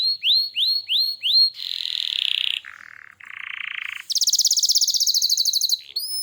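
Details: Canary singing vigorously: a run of rising whistled upslurs, each about a third of a second apart, then a broad buzzy tone, a lower rattling section, and a fast high trill that ends with a short rising note.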